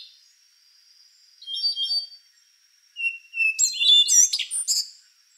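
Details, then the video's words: Rufous-brown solitaire singing: a thin steady high tone, then a short warbled phrase, a pause, and a louder burst of rapid, looping metallic whistles and twitters. "Canto do Sabiá Castanho | Rufous-brown Solitaire"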